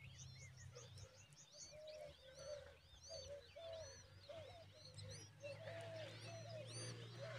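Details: Common babbler adult feeding its chick a big worm; steady series of short, nasal, slightly arched calls repeated about every half second, with thin high chirps over them and a low steady hum beneath.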